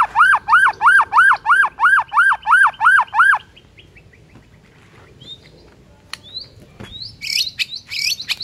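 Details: Morning song of a white-rumped shama to provoke rivals: a regular series of about nine loud arched whistled notes, then quieter scattered whistles and chatter.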